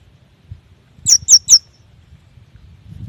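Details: Yuhina recording meant to coax young or silent birds into singing: three quick, high, piercing downslurred notes in a row, then quiet with faint low background rumble.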